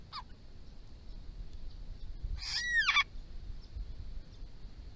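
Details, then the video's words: Grey-crowned babbler from a resident family group in Victoria, calling to others near water in hot weather: a short note at the start, then a loud, harmonic, down-curving nasal call, over a faint steady high hiss. "Grey-crowned Babbler close up"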